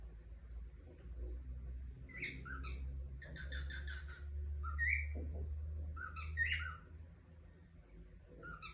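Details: Cockatiel giving a run of short harmonic chirps and squeaky whistled notes, some rising and some falling, in loose clusters across several seconds over a steady low hum.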